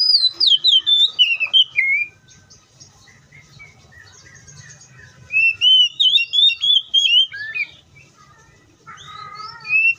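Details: Oriental magpie-robin singing in the wild: two bursts of loud, clear whistled notes, slurred and sliding up and down, separated by a quiet pause of several seconds. A soft low hum runs underneath.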